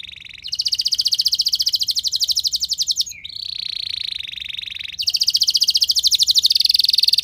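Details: Canary in long, loud 'nembak' song, played to stir other canaries into singing: extended, rapid, buzzy rolling trills running for seconds, broken by a short dip before another steady roll.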